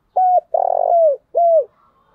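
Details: Spotted dove used as a lure bird: a three-part coo, a short note, a long throbbing coo, then a final note.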